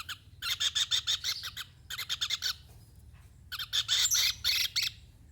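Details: Javan kingfisher giving three separate bursts of fast, strident rasping notes, each burst about a second long with silent gaps between, the last burst loudest and harshest.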